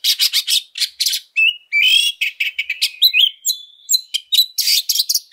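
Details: Fighting oriental magpie-robin used to lure other birds, delivering a dense, nonstop stream of harsh rasping notes, upslurred whistles and scratchy trills with barely any pauses.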